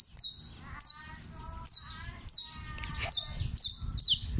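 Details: High, sharp descending whistles from a champion creole canary, Turbo, Antioquia, spaced roughly every half second, with faint lower chattering from other birds in between.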